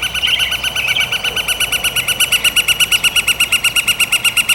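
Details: A Northern Flicker drums on a metal roof vent after loud calling, apparently to attract a mate: a steady series of ringing, tinny taps, about eight per second, repeated in bursts, louder indoors than outside.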